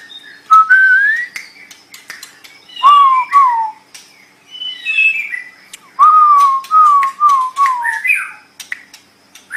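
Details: White-rumped shama, recorded as training song for pet birds: loud, pure whistled phrases, some rising and others gently falling, repeated in series with sharp clicks between them.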